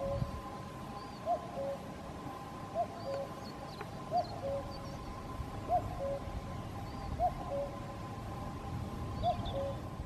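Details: A distant common cuckoo repeats its falling two-note 'cu-coo' about every one and a half seconds, with faint high chirps from other birds and a steady hum, Caldones, Gijón, Asturias, Spain, 8 May 2021.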